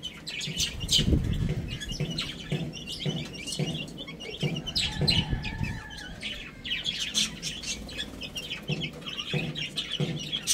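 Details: Baby chickens eating and playing; high peeps from several chicks run throughout, partly covered by low thumping and scratching noises of pecking and movement.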